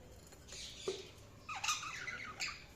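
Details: Budgerigar chatter: buzzy, scratchy high warbling with sliding squeaky notes and one brief low squawk, rising into a denser burst near the end.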